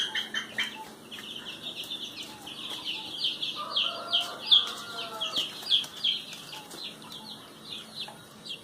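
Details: Noisy ducks giving a steady run of high, thin peeping notes, several per second, with fainter lower calls in the middle and scattered clicks and knocks behind.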